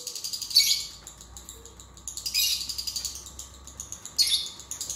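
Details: Lovebird singing, meant to coax a lazy lovebird into song: high rapid chatter in three louder harsh bursts separated by quieter ticking trills.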